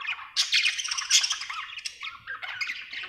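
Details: Happy budgerigar giving dense, squawky chatter, loud harsh bursts packed together and followed by softer twittering.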